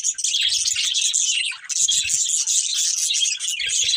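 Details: Budgerigar breeding pair chattering loudly: dense warbled chirping, briefly dipping lower around the middle, with soft low bumps in the background.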